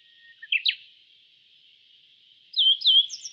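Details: Yellow bunting, a songbird of East Asia: two short sharp chirps near the start, then after a pause a pair of quick slurred notes, over a steady high hiss.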